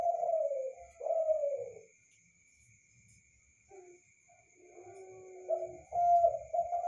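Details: A spotted dove singing at night gives soft, low, slightly falling coos, two close together, then a pause and a throatier run. A thin steady high whine continues throughout.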